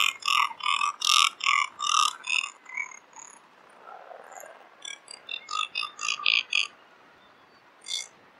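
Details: Razorbill (Alca torda) calling in a series of short, hoarse, croaking notes repeated about twice a second, a brief pause, then another run of similar rasping notes.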